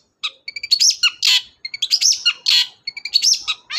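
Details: Cendet (long-tailed shrike) lure song to make a reluctant bird sing: short whistled notes mixed with harsh buzzy bursts and rising squeaks, repeated in quick phrases.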